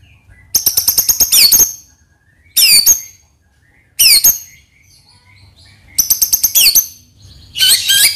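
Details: White-rumped shama used to stir other birds into song, giving short bursts of very high, rapid clicking notes ending in sharp whistled swoops, with pauses of about a second between bursts.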